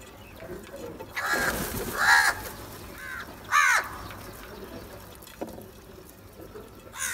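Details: Crow calling, likely while crows fight over food: a few harsh, spaced caws with a rasping, nasal tone, the loudest near the middle, over faint background noise.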